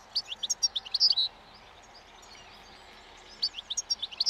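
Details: European goldfinch in the wild, singing its breeding song near spring while eating old thistle seeds at a roadside: quick bursts of high tinkling, twittering notes, a quiet gap, then another twittering burst.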